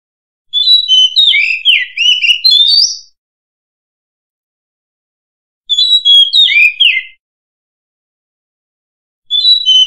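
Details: An Oriental magpie-robin (Copsychus saularis), volume boosted, sings rich, varied whistled phrases of two to three seconds, rising and falling sharply, separated by long pauses. No other sounds.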